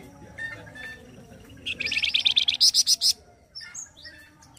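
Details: Flamboyan bird giving a harsh, energetic gacor kasar song meant for training other birds. Soft chirps give way to a loud, rapid, buzzy high trill of pulsing notes lasting about one and a half seconds, then thin whistles.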